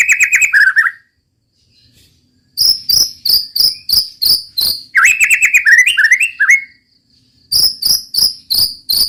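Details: White-rumped shama singing in the 'roll tembak' style: a brief warbled phrase, then bursts of sharp, clipped notes repeated about three times a second, broken by a silent gap.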